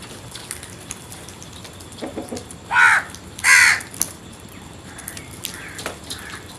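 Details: Crow giving two harsh caws close together, under a second apart, preceded by soft low notes and followed by faint distant chirps.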